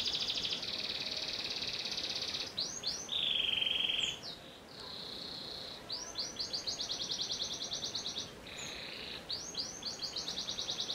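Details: Canary of the panda type sings long sustained whistled tones, a lower buzzy held note, then bursts of quick repeated syllables and rolling trills with short breaks.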